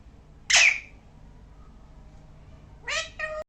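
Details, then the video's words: Parrot producing varied sounds: one loud, harsh, raspy squawk, a long quiet gap, then two shorter tonal, harmonic wails that rise and fall slightly, ending abruptly. "Parrot making different sound"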